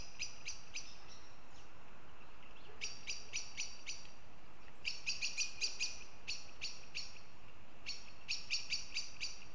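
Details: Northern goshawks in Riga, Latvia: sharp, harsh clipped notes in quick chattering runs of four to eight, several bursts separated by short pauses, over a steady low background hiss.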